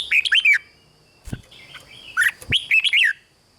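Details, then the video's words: Caged red-whiskered bulbul singing, a recording meant to stir other caged birds: a brief warbled phrase, a sharp knock, then a second run of jaunty falling and rising whistles. "เสียงนกกรงหัวจุก ร้อง ริก เปิดให้นกฟัง ยั่วให้นกคึกจัด"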